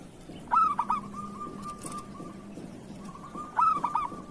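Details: Local zebra dove tutor song: two phrases three seconds apart, each a sharp stuttered whistle trailing into a steady rattling trill, with a faint low hum underneath.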